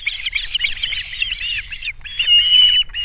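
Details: Osprey nest on Captiva, 3 April 2022, during fish delivery and chick feeding: harsher, squawking chirps in rough bursts, then a longer, cleaner whistled note near the end.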